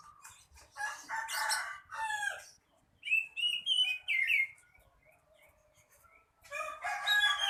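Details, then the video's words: Singing male Oriental magpie-robin (kacer): harsh, buzzy scratchy phrases, then a string of bright, quick whistled notes wavering in pitch, a quiet pause, and another burst of rough, grating notes. "Burung kacer"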